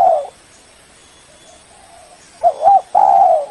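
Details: Spotted dove (Spilopelia chinensis), a lure call for trapping that summons rivals, gives soft, low, hollow coos: one opens the clip, a faint one follows, then three quick ones close it.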